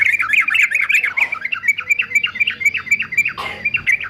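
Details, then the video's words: Yellow-vented bulbul, a fighter male kept for training, delivers a fast chattering string of bubbly, bouncing notes repeated about four times a second, with one brief noisy rustle near the end. "TRUCUKAN JANTAN FIGHTER ANTI BISU"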